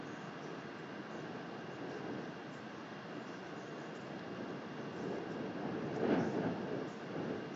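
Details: Continuous low rumbling noise, much like wind buffeting, with a brief louder swell near the end and no animal calls.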